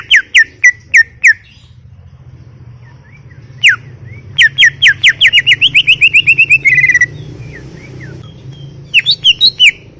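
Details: Cucak ijo, the greater green leafbird, singing gacor for masteran: scattered sharp whistles, a pause, then a rapid run of repeated slurred notes ending in a short warbled phrase, over a steady low hum.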